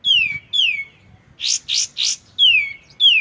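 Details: Loud descending whistles from a white-shouldered triller, two at the start and two at the end, framing three rough buzzy notes in the middle, over a quiet water background.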